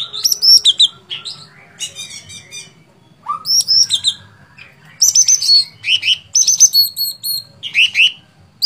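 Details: Sooty-headed bulbul, known as cucak cungkok, in busy gacor fighter song: dense, varied whistles, chirps and slurred arcs in long phrases with only short breaks, over a faint low hum.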